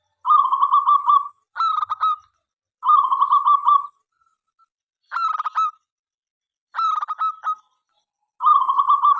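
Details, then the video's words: Local zebra dove singing actively to prompt other doves into song: rolling, purring coos alternate with clipped staccato phrases, six bursts spaced by short silences. "perkutut lokal gacor suara MENGGODA"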